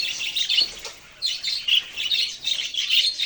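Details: Budgerigar chirping: bright scratchy chatter, a short quieter gap after one second, then renewed rapid high twittering and squeaks.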